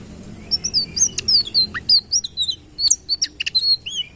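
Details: Sitrun bird singing a fast series of short, high, sharply modulated chirps and whistled notes, some sweeping down and a few sliding up, in bursts with brief gaps; faint low background hum.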